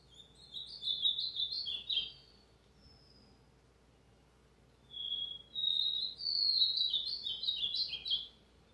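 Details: Ultramarine grosbeak (azulão) in brown plumage, recorded Tuesday 29 August 2023, delivering two quick warbled phrases of slurred whistles separated by a few seconds of near silence, the second phrase longer and more varied.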